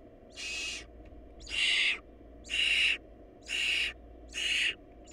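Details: Barn owl nestlings in a nest where the family was short of food give harsh, rasping hissy screeches. Each lasts about half a second, about once a second, five in a row with a sixth starting at the end. A steady low hum runs underneath.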